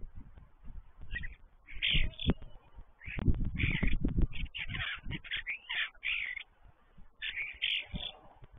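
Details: Five common starlings visiting a still-empty stork nest, giving rough, scratchy chattering bursts of varied short notes in quick succession, with heavy low wind rumble underneath.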